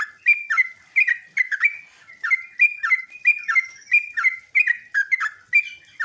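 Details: Continuous sooty-headed bulbul song, sung in ngeropel ngecruk nembak style as a lure for other bulbuls to reply: rapid, bouncing two-part whistled chirps repeated steadily without pause for six seconds.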